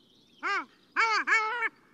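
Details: Long-tailed duck call, a sound often heard before the birds are seen: three nasal, rising-then-falling yodelled notes, one short then two longer ones run together, clear against silence.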